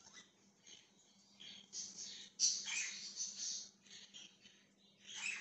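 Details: Budgerigar chattering, recorded 20 January 2023: fast, continuous scratchy warbling with many short notes run together, rising to a louder dense burst midway, a low background hum throughout.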